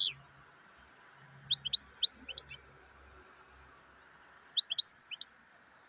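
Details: Black-headed goldfinch giving two short bursts of high, tinkling twitters, about a dozen quick notes each, separated by a three-second pause, over a steady faint hum.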